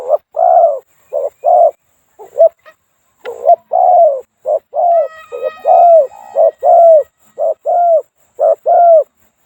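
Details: A moulting spotted dove used as a decoy, with a small two-note 'kuk' voice, sits in knee-high grass at the foot of a hill on an evening with rain coming: low, hollow paired coos about once a second, a faint higher whistle.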